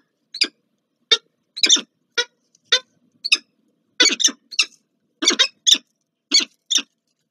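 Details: Meeting of a peregrine falcon pair at Warsaw's Palace of Culture and Science, Poland, on 30 August 2024: short grating squawks, singly or in twos and threes, at irregular intervals of about half a second.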